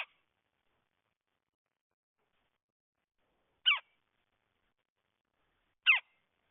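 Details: Brief harsh, rasping calls from a red-headed woodpecker, repeated roughly every two seconds, with silence between.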